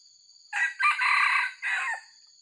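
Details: Crow of a white-legged wild junglefowl used for luring: a short, hoarse, broken crow in three to four bursts lasting about one and a half seconds, over a steady high insect drone.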